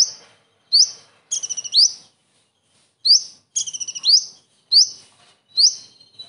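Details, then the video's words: Common iora singing its kingfisher-imitating song, recorded for tutoring other songbirds. Ringing upward-sliding whistles come in series, with two bursts of fast stuttered notes that each end in a rising whistle, all against a quiet background. "KONIN ISTIMEWA ISIAN TENGKEK UDANG"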